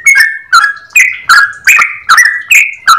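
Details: Yellow-vented bulbul giving a long, lively, clear-voiced song: loud chattering phrases of two-part notes, a higher note dropping to a lower one, repeated about every half second with harsh overtones.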